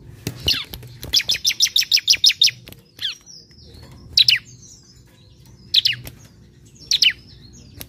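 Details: Relaxed olive-backed sunbird song played as a lure to draw out singing: a rapid run of about eight high ticking notes, then spaced pairs of sharp, falling chirps repeated every second or so over quiet hum.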